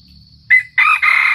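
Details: Red junglefowl crowing in Sumatra, played as a lure for trapping: a loud, harsh crow broken into three quick bursts within about a second, over a steady high insect whine.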